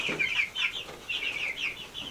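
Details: An adolescent rooster with a flock of chickens at an off-grid cabin in Alaska in spring makes thin, high, downward-sliding squeaky calls, repeated in quick runs about every quarter second, with a brief lower note near the start.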